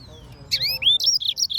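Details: Yellow-fronted canary singing: after a quiet half-second, a burst of bright upslurred whistles, then a run of short, high, slightly buzzy notes in quick succession, with faint low background hum.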